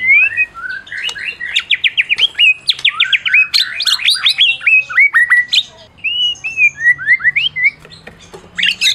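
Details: White-rumped shama of Medan type, a champion, singing continuously to provoke mute shamas: fast rhythmic series of steep rising whistles, then a run of quick down-slurred notes, followed by evenly spaced falling whistles and a final bright flourish.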